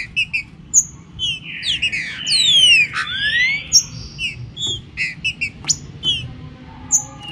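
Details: Green-winged saltator opening its song: a long level whistle, then a loud sweeping descending slur that turns upward, surrounded by quick high chirps and steady low noise.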